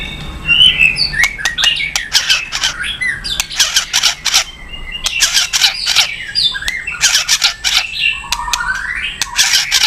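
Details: White-rumped shama in strong song, used to provoke other birds into singing: dense bursts of buzzy, rasping phrases mixed with high whistles, delivered in rapid clusters with short pauses between them.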